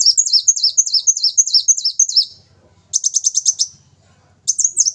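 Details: Brown-throated sunbird in full, energetic song: quick runs of high, thin, sharply rising and falling notes, about five a second, in bursts of two seconds or less separated by short pauses, with a faint low rumble in the gaps.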